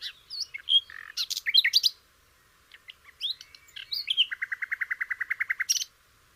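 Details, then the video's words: Flycatcher tutor song for canaries: a rich burst of whistles and chirps, a short pause, more twittering, then an even rattling trill of about fifteen notes. "kicau burung sikatan londo"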